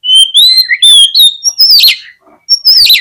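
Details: Oriental magpie-robin singing to provoke fighting and tail-spreading in lazy rivals: loud, varied whistled phrases, some sliding upward, some falling. Harsh scratchy notes are mixed in, with a brief pause before a fresh whistled burst.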